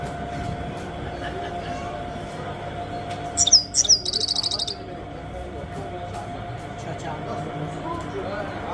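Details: A grey-headed goldfinch calls 'chir chir': a couple of sharp upslurred notes, then a fast string of high chirps lasting about a second, set against a steady low rumble.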